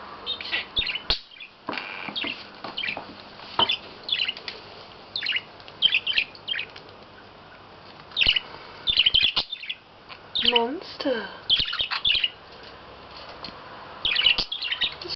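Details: A male pet budgerigar, playing with a toy mouse on a flat's carpet and talking to it, chatters in quick bursts of scratchy, high chirps and warbles mixed with mimicked talk, including swearing.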